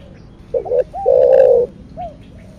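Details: Spotted dove cooing in the style called thổ đặc thúc, or thổ sấm: two short low notes, then one long steady coo, with softer curved coos from a second dove before and after.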